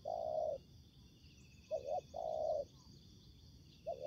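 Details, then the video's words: Spotted doves in a ground-decoy trapping encounter with a combative wild bird. A long steady coo, then a doubled short note and another long coo, with a pause before more. Steady insect hum in the background. "Bẫy cu gáy mồi đất : Tuyển tập Mồi cùi bắp gặp Bổi trận của năm"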